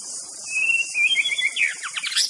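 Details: White-rumped shama singing a clear whistled phrase: a steady note that steps higher, then quick rising and falling slurred notes, over a constant high hiss.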